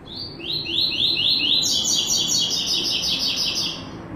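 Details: White-throated seedeater giving the classic tuí tuí zel zel song with third note: a run of sharp, high, downslurred notes repeated quickly, then a brighter, denser buzzy trill that continues steadily to the end.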